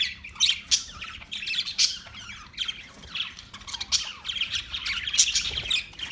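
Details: Parakeets squawking and chirping in dense, harsh high bursts, rising and falling in loudness with barely any pause.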